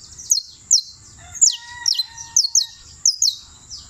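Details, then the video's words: Creole canary, champion singer, Turbo, Antioquia: clear high whistles sliding downward, some in quick pairs, with a soft lower whistled tone from another bird briefly in the background. "(El CAMPEÓN) canario criollo la lucila"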